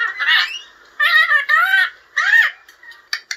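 A lorikeet mimics speech in four raspy, warbling bursts of about half a second each, its voice rising and falling, then ends with two sharp squeaks.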